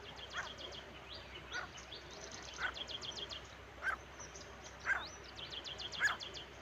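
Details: Male and female partridge (teetar) calling outdoors: short, loud, harsh notes repeated about once a second. Fast rattling ticks from other birds run through the background.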